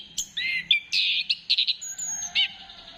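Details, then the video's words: Orange-headed thrush song used as a lure to get birds singing: a rapid run of varied, slurred whistled and buzzy phrases, rising and falling, with short gaps between notes. Quiet background. "Gacorkan Burung Anis Kembang Dengan Pancingan Suara Ini"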